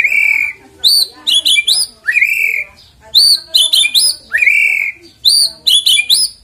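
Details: White-rumped shama singing as a lure to prompt the bird to sing: a repeated phrase of a drawn-out rising whistle and a tight burst of sharp, high notes, recurring about every two seconds.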